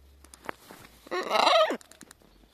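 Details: Pet macaw outdoors on a sunny February winter day, a few degrees above zero with hardly any wind, playful and chattering. One harsh, loud squawk about 0.7 s long with a rough arched tone, amid quiet background and a few soft clicks.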